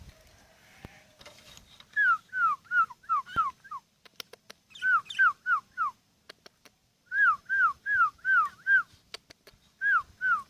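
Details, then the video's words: Sooty-headed bulbul, a kept bird ten years old, giving bursts of four to five fluty downslurred whistles in quick succession, separated by pauses of about two seconds, with faint clicks between phrases. "BURUNG KUTILANG"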